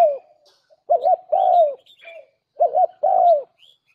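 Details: Decoy call of a spotted dove: a double-humped short coo followed at once by a long, steady, falling coo, with the phrase given twice about two seconds apart. Faint high twitters from other birds are heard.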